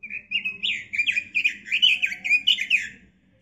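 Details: Robin tutor song for kept birds: an energetic three-second run of rhythmic whistled notes, pulsing about four times a second, then silence, with a low steady hum behind.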